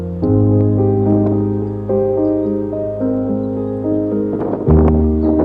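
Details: Piano music with sustained chords and a steady low bass line, no animal sounds present.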